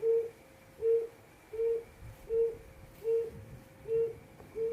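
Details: Quail 'hồi công' calling, seven low hollow hoots at slightly uneven intervals, each brief and level, against a faint droning hum.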